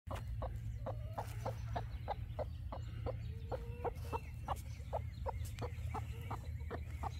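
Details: Free-roaming hen wandering into a neighbouring yard and clucking steadily while followed, short sharp clucks about two per second with a few drawn-out purring notes, over a strong low rumble.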